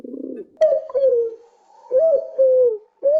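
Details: Pigeon group call: drawn-out, slightly falling deep coos, each held for about half a second, with short pauses between; a low muffled rumble opens the sequence.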